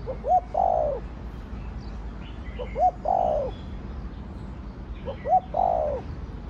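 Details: Spotted dove cooing in the 'thổ đồng' voice style: three low phrases about every two and a half seconds, each a short clipped note then a longer, falling, hoarse coo, with faint high chirps of other birds behind.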